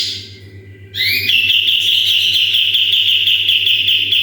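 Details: Sooty-headed bulbul used as a song model for other birds: after a quiet start, twin upward-sweeping whistles launch into a loud, even, rapid high trill lasting about three seconds, with a low hum beneath.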